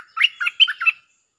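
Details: Bulbul lure song in the 'Jao Bank' style with a doubled phrase: a quick phrase of four bright, bubbly whistled notes, alternating higher and lower, over about one second, on a clean, quiet background.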